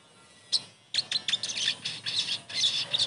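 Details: A Crimson Sunbird gives a fast run of high, thin, sharp chirps and twitters, bursting every fraction of a second over faint background hiss.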